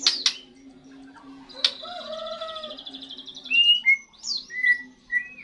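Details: First song of a young white-rumped shama after its moult, sharp clicks, a long thin buzzy trill, then pure whistled notes sliding up and down, over a faint steady hum.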